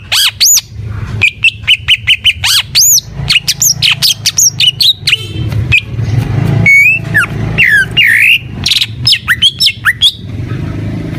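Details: Cucak ijo singing full gacor: rapid high whistles and arching notes give way to harsh buzzy chatter, then looping slurred whistles and scratchy phrases, with a low background rumble.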